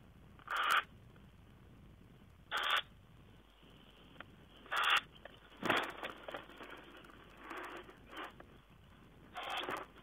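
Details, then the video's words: A tawny owl recorded on 04.06.2010 gives sharp, harsh calls about every two seconds, then a looser run of scratchy notes, against a quiet background. "Tawny owl"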